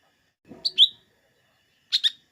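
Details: Lesser green leafbird (cucak ijo mini), played to rouse green leafbirds before contests, gives two clear high chirps after a faint low rustle, then a second sharp double note about a second later in an otherwise quiet recording.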